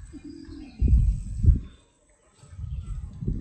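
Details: Pigeon cooing: a soft, low drawn-out note, then two loud deep throaty coos, a brief silence and a softer rumbling coo, with faint distant bird twitters.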